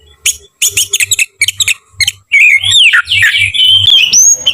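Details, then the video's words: Oriental magpie-robin (kacer) in combative song: a quick series of sharp, clipped chip notes over low thuds, followed by a continuous rich warble of sliding whistles ending on a long high note. "KICAU KACER TARUNG NGOTOR"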